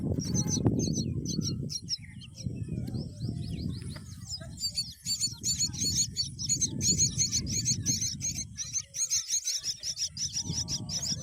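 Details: A myna feeding a green worm to her babies gives rapid, high, squeaky chirps about three times a second, over low rumbling bursts of wind or handling noise.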